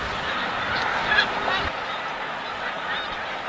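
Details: Migrating snow geese at Montmagny keep up a dense chorus of honking, many birds calling over one another in a continuous nasal clamour, with a brief low thump near one and a half seconds.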